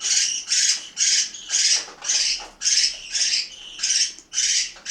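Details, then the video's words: Parakeets kept at home in Itaim Paulista, São Paulo, Brazil, during a meal: loud, harsh squawks nearly twice a second, about ten in a row, each rough and noisy. "Periquitos do Itaim Paulista - SP - Hora da refeição"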